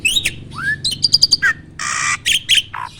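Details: Starling singing, used as a training recording to provoke other birds into singing; a varied phrase of rising whistles, rapid high clicking notes, a broad harsh rasping burst and short falling whistles.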